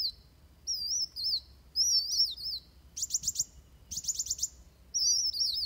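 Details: Van Hasselt's sunbird, fighting song recorded for training birds: high, sliding, wavering whistles broken by two fast bursts of sharp clicking notes.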